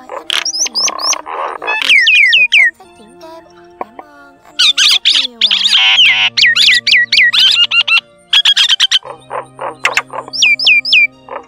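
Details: Common myna flock-calling lure for trapping, of the wild and field variety, not a talking bird; mixed harsh chatter, buzzy rattles and repeated sharply falling whistles in quick bursts, with low steady droning tones.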